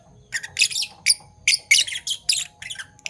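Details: A pair of Fischer's lovebirds, Parblue Violet and Parblue Turquoise, chirping in the morning: about eight rough, grating squeaks in rapid succession over a faint electrical hum.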